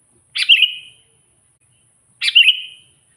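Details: Energetic sooty-headed bulbul singing to call and provoke rivals, pure natural voice: two short liquid phrases about two seconds apart, each a bright burst dropping into a fluty warble, silence between.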